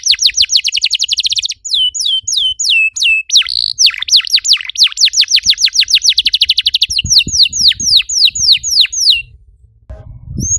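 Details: Canary song played to trigger singing in other canaries: dense rolling trills alternate with sharp downward-swept whistles over about nine seconds, then a brief pause with faint background rustling.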